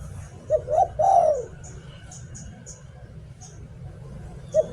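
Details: Decoy spotted dove singing "liu tan": a pair of brief coos followed by a longer purring coo that dips at the end. A further short coo comes near the close, with faint high chirps above.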